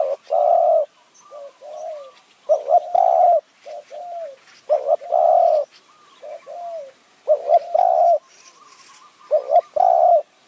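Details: Spotted dove in high forest near Kanchanaburi, Thailand, calling in khu ang and nun ang styles to lure wild birds. Dense run of coo phrases, loud paired notes and long coos mixed with softer, lower answering coos, roughly every two seconds.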